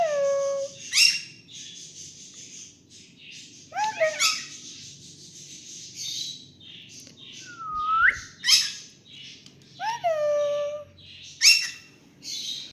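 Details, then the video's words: Pet cockatiel sings a varied medley of whistles: downward slides, one upward-rising note and quick chirpy bursts, spaced a second or two apart. Faint background noise. "Adorable Cockatiel Milo's Cute Singing Moments"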